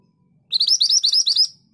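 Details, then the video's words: Long rolling song of a Scarlet minivet: roughly nine crisp, upward-sliding whistles in a rapid, regular chain lasting about a second, then a clean stop, the background otherwise quiet. "BURUNG MANTENAN GACOR ROLL PANJANG TERBAIK UNTUK MASTERAN"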